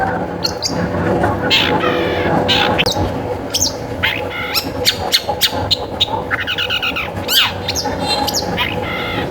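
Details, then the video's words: Long-tailed shrike song meant to trigger singing in other shrikes: a varied medley of sharp clicks, buzzy rattles and short upslurred whistles, some in quick stacked series, with a continuous low hum behind. "Suara Pancingan Cendet Gacor"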